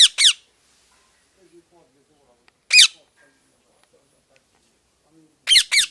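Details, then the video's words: Parrot calling in short bursts: a harsh double squawk, a single call near the middle after long quiet gaps, then another sharp double squawk. "Parrot Chirping Sounds"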